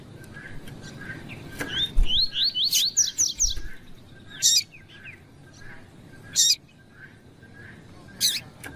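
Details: Double-collared seedeater, spirited tui-tui singer, with a female calling to stimulate a male: a rapid sequence of repeated slurred, whistled notes, then a few loud, harsh bursts every two seconds, with low thumps early on.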